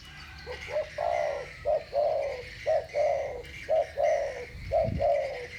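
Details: Two spotted doves of thổ bầu voice calling against each other, giving quick runs of paired coos, short then long and falling, overlapping slightly, with a low thump near the end and faint bird twitters.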